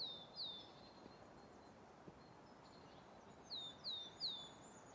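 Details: Song of coal tits at Haga's Grandungen along Ryggisspåret, recorded 10 March 2024: two brief phrases of sharp, high notes sliding downward, repeated about three times a second, separated by a quiet pause amid low rumble.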